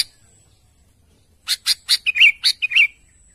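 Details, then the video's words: Sooty-headed bulbul calling to its companions: three harsh chips lead into a quick alternating run of chips and two short bubbly whistled phrases. "Burung Kutilang Gacor memanggil temanya"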